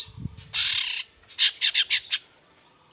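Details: In the morning a long-tailed shrike sings vigorously to coax quiet shrikes to reply. A long grating rasp is followed by four or five clipped harsh notes, then brief high twitters.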